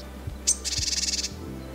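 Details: A Japanese tit, perhaps in a mixed flock in sunny forest in inland Hyogo, Japan, and likely aware of the cameraman, gives one thin high note, then a harsh, buzzy run of about a dozen fast scolding pulses over a low hum.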